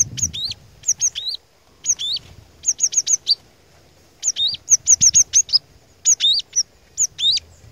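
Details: Glatik batu, the cinereous tit, in lively lure song meant to set other tits singing: bright, high, clipped notes grouped in quick runs, with brief silent gaps between bursts.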